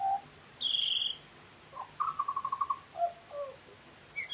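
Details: A butcherbird gives a bright high whistle, then a rapid trill of repeated notes and several low fluty whistles.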